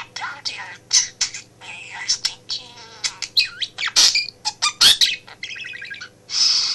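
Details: Male pet budgie in a home office, talking and chattering as its owner works; rapid scratchy warbling mixed with rising and falling whistles and sharp clicks, nearly continuous, faint electrical hum underneath.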